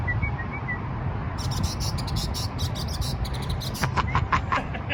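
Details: A mockingbird at the Margaret Huntill Bridge gives faint high whistles, then a run of sharp, scratchy ticks and a few clear chirps, over a steady low rumble of background noise.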